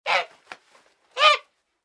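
A goose gives two harsh, nasal honks about a second apart, with a soft click between them.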